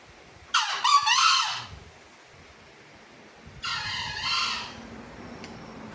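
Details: A male green junglefowl (Gallus varius), a Javan junglefowl, gives two short, hoarse, high-pitched crows, each about a second long and roughly three seconds apart, over a low steady background hum.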